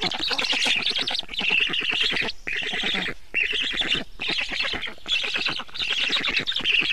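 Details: During feeding at a black stork nest, 24 June 2017 in the evening: loud, hoarse squawking phrases about a second long, repeated with short gaps between them.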